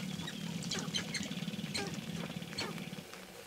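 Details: Early-morning mating dance of sharp-tailed grouse, some 30 to 40 birds with a handful of females; quick clucking notes and brief high squeals over rapid low stamping and a constant hum.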